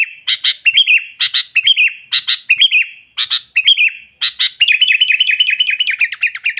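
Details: Persistently singing sooty-headed bulbul meant to provoke opponents and attract wild birds: short harsh double clicks each followed by a quick liquid warbled phrase, repeated about once a second, ending in a longer bubbling run.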